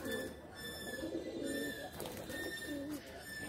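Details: Pigeons playing in a loft, with soft low coos overlapping, while a steady high electronic whine and indoor background hum run through.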